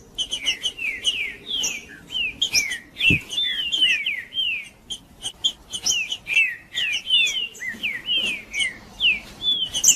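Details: Green-winged saltator male delivering macheando song meant to heat up rival males: a continuous, dense run of falling whistled slurs and sharp chips, phrases tumbling one after another for the whole stretch.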